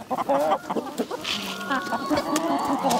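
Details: Chickens in a village yard, a flock of hens giving loud overlapping clucks and drawn nasal cackles, fast irregular rhythm with clicks and rustles between calls.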